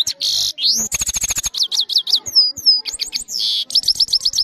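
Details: Trained European goldfinch singing, recorded on a phone camera: fast varied song of buzzy bursts, rising slurred whistles, rapid ticking runs and repeated up-down chirps, all high-pitched and clean with little background.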